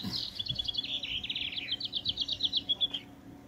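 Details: Goldfinch hybrid singing: a long run of high, clipped twittering notes delivered in quick succession, settling into a fast, even trill for about three seconds, with a faint low hum behind.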